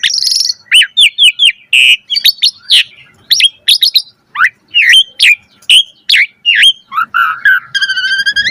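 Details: Jalak suren (Asian pied starling) in full-variety gacor song for training birds: quick rising chirps in series, scattered slurred whistles, then a low buzzy phrase and a rapid rattling trill at the end.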